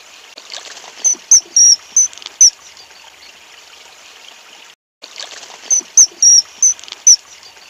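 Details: Common kingfisher feeding chicks, calling in two matching series of five shrill, high whistled notes, a longer note in the middle of each, separated by a pause, against a background of running water.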